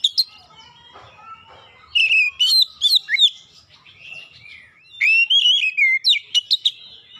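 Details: White-rumped shama kept as a cage bird, producing a long, varied song of whistles, chirps and harsher notes in dense bursts, with swooping slurred phrases and short sharp accents.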